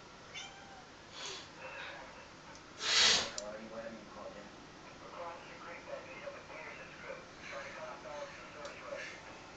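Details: Rose-ringed parakeets at a feeder in the Netherlands, fed ahead of winter: one loud, harsh screech bursts out about three seconds in, over a steady run of softer, warbling chatter and squawks that continues throughout.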